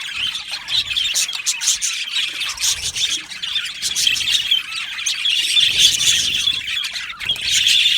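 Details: Budgerigar aviary colony with a continuous, overlapping chatter of high chirps and short squawking calls, building louder toward the end.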